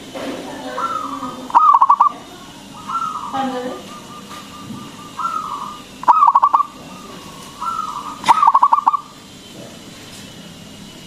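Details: Local zebra dove used as a lure to stimulate other doves to sing: repeated cooing phrases, each a steady low note followed by a rapid stuttering burst of pulsed coos, recurring about every two seconds against faint background noise.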